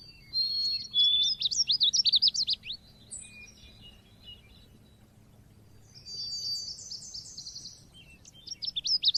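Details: Cit keres style song of the Oriental white-eye, used as a lure tutor recording: a dense high twittering burst, a quiet gap, then a rapid series of descending sweeps and further sharp chirps.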